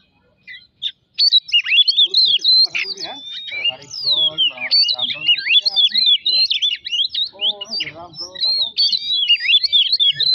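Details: Oriental magpie-robin singing as a lure to provoke rivals: after a brief pause, a long, busy sequence of high whistled notes mixed with lower rasping, chattering phrases that come and go.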